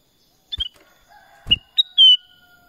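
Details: Black-crested bulbul giving a short whistled phrase of a few bright sliding notes ending in a held whistle, with one soft knock.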